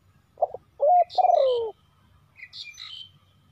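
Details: Spotted dove kept as a decoy to attract wild doves: two quick coos, then a sustained note and a long falling burred coo, followed by faint high chirping of small birds.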